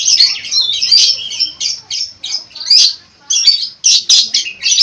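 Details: Cendet, the long-tailed shrike, delivering busy mimicry-filled song: loud grating bursts and squeaky twitters packed closely together, separated by short pauses.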